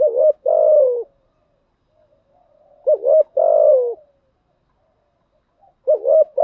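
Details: Spotted dove decoy call, given in thúc gù and gáy gọi styles to stimulate decoy doves into calling: low mellow coos in two groups, each a short double note followed by a longer drawn-out falling coo, with a quiet gap between.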